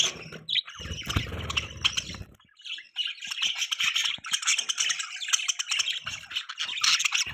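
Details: Budgies chirping in continuous, busy chatter of overlapping scratchy warbles and squeaky notes, with a brief low rumbling noise early on.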